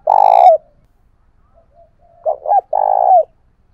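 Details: Spotted dove kept as a decoy to provoke rivals to fight, singing in the 'thổ bầu' voice style: a long, vibrating, mid-pitched coo ending in a downward slur, then two short hooked notes and another long rolling coo.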